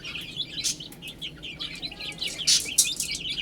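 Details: Baby chickens eating and drinking: a crowd of chicks gives high, quick peeps that overlap almost constantly, with a few louder scratchy bursts from pecking or movement.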